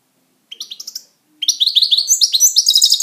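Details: Pet European goldfinch in song: a brief run of tinkling high notes, a pause, then a fast, continuous stream of bright twittering and liquid chirps.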